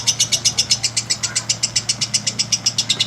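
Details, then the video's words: Long lovebird master song used to stimulate singing in other lovebirds: a brisk, regular pulse of loud, squeaky high notes, about seven per second, over a low background hum. "Strong Lovebirds Master Stimulates that every lovebirds makes a LONG sound"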